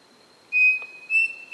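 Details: Pavonine cuckoo filmed on 23 August 2018 in Floresta Estadual Edmundo Navarro de Andrade, Rio Claro, São Paulo state: pure, clear whistled notes on an even pitch, three in quick succession, over a steady high insect-like hum.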